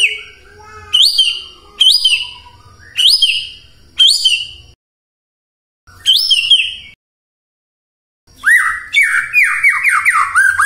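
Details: White-rumped shama song played in the morning to provoke silent shamas into singing: loud rising whistled notes repeated about once a second, cut by abrupt silences, then a quick run of falling slurred whistles.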